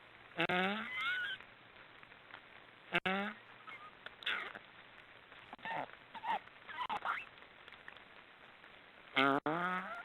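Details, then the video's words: Black storks snoring: a few hoarse, nasal honks come several seconds apart, with short rasping, wheezy snores between them over a steady hiss; finding: Black stork. "Black storks are snoring"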